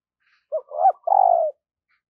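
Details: Spotted dove decoy in the morning, calling to draw in wild birds. It gives a single phrase: a short clipped note, a rising throaty coo, then a long buzzy coo that slides downward.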